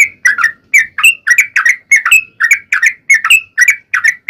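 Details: Sooty-headed bulbul singing rapidly and continuously, used as a lure to make bulbuls sing: bright whistled notes swooping and dipping, about three to four per second, in an unbroken chattering stream.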